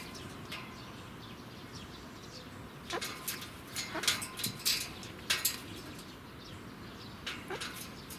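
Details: A male yellow-crested cockatoo at a zoo in Fukuoka, Japan, on 25 April 2019 gives a cluster of short, harsh, rasping screeches, then a few more after a pause, over steady low background noise.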